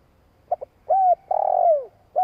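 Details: Spotted dove, long coo for provoking other doves: two faint clipped notes, a mellow coo, then a lengthy vibrating note sliding down, with the next coo just starting as the sound cuts off.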